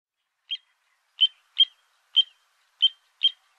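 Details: Little ringed plover at a nest during mating, egg-laying and incubation, giving short, sharp, high whistled notes, six in about three seconds at uneven intervals, each slightly falling, over a silent background.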